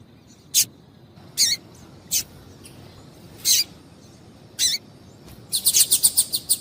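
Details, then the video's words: Female double-collared seedeater call, used to make males sing: separate high, scratchy chips about every second, ending in a fast rattling series of bright ticks. "Piado de Fêmea de Coleiro para Esquentar Coleiro"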